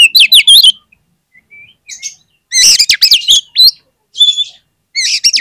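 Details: Oriental magpie-robin song played as a lure to set other magpie-robins singing: loud bursts of varied whistled and buzzy notes, some sliding up and down, in quick phrases separated by short pauses.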